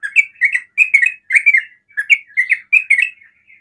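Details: Sooty-headed bulbul delivering fast 'ropel' song meant to trigger other bulbuls to call. A dense, steady stream of paired, bubbling notes repeats about every half second.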